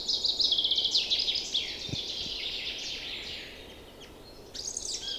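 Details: Spring chorus of freshly returned birds in woods and meadows during April, beside a river running with meltwater; a loud, fast trilling burst opens, then softer twittering fades before a brief high phrase returns.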